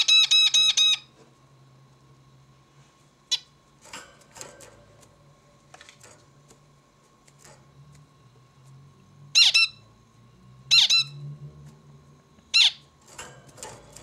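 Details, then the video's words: Zebra finch giving loud, nasal, harmonic-rich notes: a quick run of repeated beeps at the start, then scattered soft ticks and single or paired honking calls a second or two apart, over a faint steady hum. "Bird sings beautifully - zebra finch"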